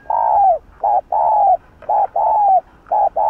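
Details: Spotted dove, Hạp Bổi voice, in quick urging coos aimed at provoking rivals: short and long hollow coos alternate rapidly with barely a break, the long ones sliding down at the end.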